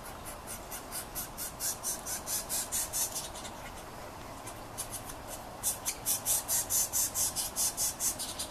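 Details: Young yellow-shafted northern flickers begging near the nest while the male feeds them; the chicks answer his arrival call, then give hunger calls: rhythmic raspy, hissing pulses about two per second, a brief pause, then a louder run.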